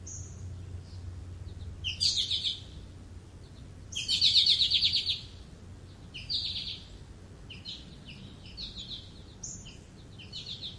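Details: American goldfinch singing high buzzy, rattling phrases with brief whistled notes, the loudest burst near the middle, then softer twitters trailing off, with a low background hum throughout.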